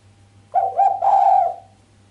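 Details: Female island collared dove giving a sharp coo without the closing 'kuk', a call said to excite the male: one mid-pitched phrase of two short notes and a longer sustained note, over a steady low hum.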